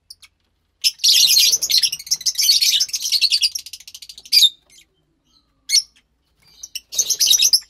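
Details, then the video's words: Two captive lovebird chicks, pastel white colour mutations, calling in bursts of harsh, raspy, high chattering, a long buzzy stretch then short squeaky notes and another raspy burst near the end. "Two Lovebird Chicks"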